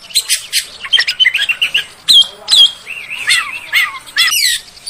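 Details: Oriental magpie-robin song used as a lure to get other magpie-robins singing: scattered short whistles and rising slurred notes mixed with harsh, buzzy chatter, in uneven bursts.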